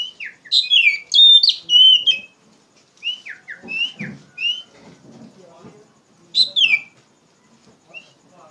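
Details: Loud, energetic singing from an Oriental magpie-robin (kacer), used as a lure to tutor young birds: bright slurred whistles and sweeping downward notes in quick clusters, a quieter stretch with low scratchy murmurs, then another ringing whistled burst.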